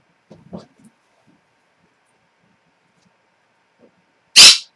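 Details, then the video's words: An 8-month-old pet monk (Quaker) parakeet indoors lets out one loud, harsh, grating contact-call scream, which it repeats for up to an hour, after a few soft low thumps and the owner murmuring "Hi". "What a Quaker REALLY sounds like"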